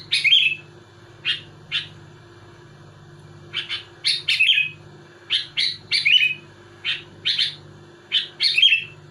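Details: Singing sooty-headed bulbul pressing its rivals: irregular series of sharp, bright chirps, alone or in quick clusters of two to four, with occasional fuller warbled notes, against a steady low hum.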